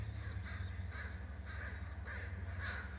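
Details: Eagle calling at its nest, where it arrives with a fish: a quick run of about six harsh, squealing notes, roughly four each second, over a constant low mechanical hum.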